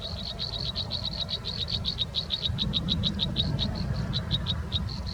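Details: Nestling American robins being fed: a dense, fast series of short, high chirps with overlapping voices, the notes slowing slightly toward the end, over a steady low rumble.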